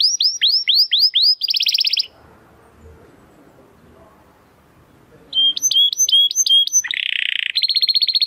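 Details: Belgian canary with a crackling song style: quick falling whistles and a buzzy trill, a three-second pause with soft background noise, then repeated flat whistles, a harsh rasp and another fast trill.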